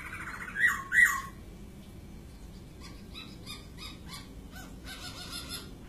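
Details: Poksay (white-crested laughingthrush) utters two loud, rich whistled notes, then a series of soft clicking notes, over a low hum.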